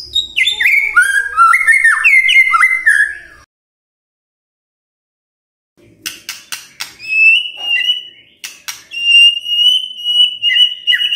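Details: Lure song of a White-rumped shama for prompting silent shamas in the morning: rapid varied whistling, an abrupt silence, then sharp clicks and a long, high, steady whistled note.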